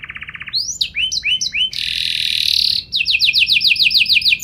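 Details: Canary in vigorous, ornamented song: a quick buzzy trill, upward-sweeping whistles, a long loud harsh roll, then a rapid series of repeated sweeping notes.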